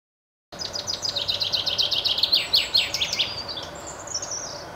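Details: Common chaffinch song recorded in 2013: a loud, fast series of bright repeated notes that drop in pitch and end in a short flourish, followed by a fainter, thin high song from another bird.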